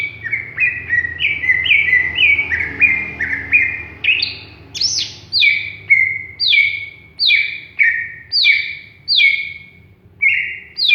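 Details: Young greater green leafbird not yet singing fully: a long series of clear, downward-slurred whistles, about two every second, shifting higher midway with sharper rising-falling notes, over a soft low hum.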